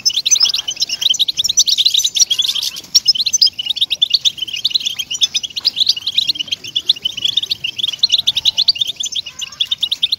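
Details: Song of European goldfinch played to motivate captive goldfinches to sing: dense, rapid twittering and tinkling notes, continuous and busy throughout, with several overlapping voices forming a high, bright chatter.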